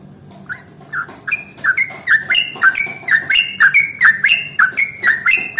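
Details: Yellow-vented bulbul in the morning, singing the long rolling song used to prompt other bulbuls. A few soft notes open a steady run of bubbly, slurred phrases that grow louder and faster, about two a second.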